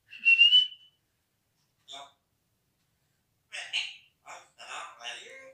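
A grey parrot gives a clear, sharp whistle, then after a pause a few short, raspy, speech-like phrases in quick bursts, all in a small quiet room.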